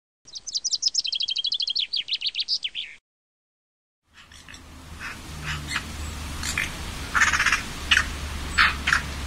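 Eurasian Magpie: a harsh, rapid rattling chatter of about twenty dry notes in under three seconds. After a pause comes a noisier recording with scattered sharp calls.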